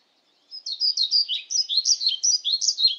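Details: Pied flycatcher (Ficedula hypoleuca) with an extended run of high, sweet, see-sawing notes, rapid and regular, going steadily for about two and a half seconds against a silent background.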